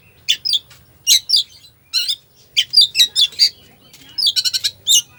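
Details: 'Full isian' song of an Oriental magpie-robin, used to stimulate a sluggish bird, a dense sequence of sharp warbled squeaks and chirps ending in a fast rattling trill and a final squeak.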